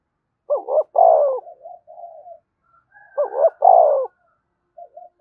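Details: Spotted dove cooing meant to stimulate other doves: two phrases about three seconds apart, each a hiccuping double note and then a long, throaty, descending coo, with a faint soft tail after each.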